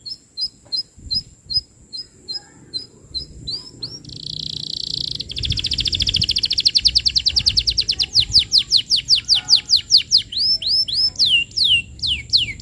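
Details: Canary singing vigorously as a lure recording for training young canaries: evenly spaced sharp chirps, a brief buzzy hold, then a long rapid roll of high sweeping notes that speeds up and grows louder.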